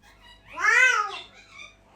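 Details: Pet red eclectus parrot indoors giving a morning greeting; one loud drawn-out rising then falling squawk-like vocalization about a second long, with a softer note after, and a person speaking nearby.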